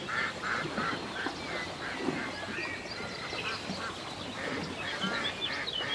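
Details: Ducks by a lake on a peaceful day in the country, a rapid series of short nasal quacks repeated about three times a second, with high chirping songbirds and soft water ambience behind.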